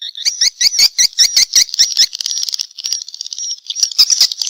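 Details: Swiftlet response call: rapid, high, buzzy chirps repeated about two or three times a second, then a denser, continuous shimmering twitter with brief pauses.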